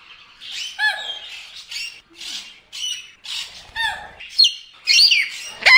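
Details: Indian ringneck parrot calling: a series of harsh, noisy squawks and chattering notes, irregular bursts spaced about half a second to a second apart, ending in sharper rising screeches.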